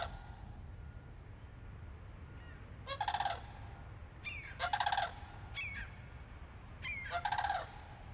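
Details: Two visiting sandhill cranes give three loud rolling, rattling calls spaced about two seconds apart, each harsh and trilled, with a few fainter chirps between them over low rumbling background noise.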